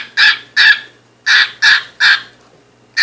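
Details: A pet cockatiel chatting inside a box gives harsh, raspy squawks in quick bursts, about five in three seconds, each short and scratchy with a brief pause between pairs.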